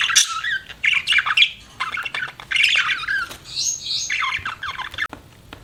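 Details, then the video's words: Pet budgerigar giving a near-continuous stream of squawky, warbling chirps and chatter, with harsh, buzzy notes mixed with squeaky whistles. "BUDGIE CHIRPING SOUNDS"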